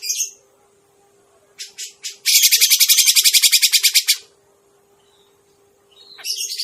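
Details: Grey-cheeked bulbul trapping-lure call: a short harsh note, a pause, three quick rasping calls, then a dense two-second burst of fast buzzy chattering, quiet again before another rough outburst begins; low steady hum throughout.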